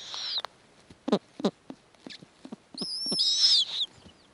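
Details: Snowy owl nest with offspring during a prey handover from male to female: a high hoarse screech opens, scattered short clicks and barks follow, then a longer rising, grating screech near the end.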